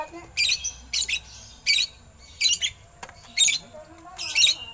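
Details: Oriental magpie-robin singing with eagle-call mimicry, recorded for training other birds: a string of six harsh, scratchy squawks spaced about every 0.7 to 1 second, with faint whistles between.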